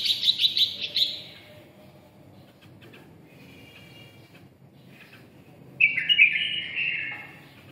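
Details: Red-whiskered bulbul of the red-eyelid type with 'ché' song: a quick series of sharp chirps, faint thin notes in a lull, then a louder warbled phrase.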